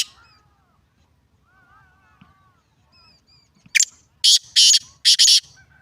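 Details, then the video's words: Black francolin giving a loud harsh grating call near the end: one short rasping note, then three broad buzzy bursts in quick succession, after soft faint whistles from other birds in quiet surroundings. "کالا تیتر کی آواز"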